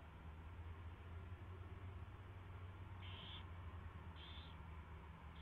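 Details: Owl at the nest at 4:21 AM on 24 February 2016 during a mouse delivery and feeding; three short, hoarse high bursts, the last two about a second apart, over a steady low electrical hum.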